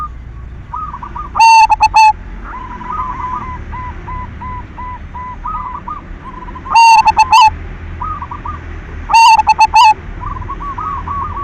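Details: Active silver zebra dove singing as a lure to trigger song in other doves: three loud, metallic cooing bursts spaced several seconds apart, each a trill-like note plus three or four clipped notes, over softer background coos.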